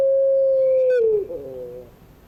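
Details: A single long, even coo from a puter pelung collared dove in the evening, sliding down at the close and fading away.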